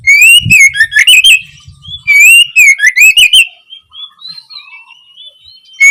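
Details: Oriental magpie-robin (kacer) opening song, used as learning material to prompt young birds to sing. Two loud bursts of rich, rapid whistled notes that slide and warble, with softer twittering between them.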